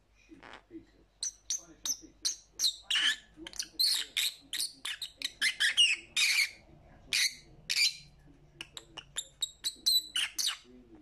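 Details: Lovebird chattering steadily: dense runs of piercing, high chirps and squeaky notes, almost continuous, with brief lulls and a quiet low hum behind.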